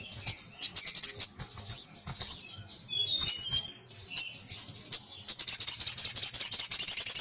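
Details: Crested jay; call; male calling to a female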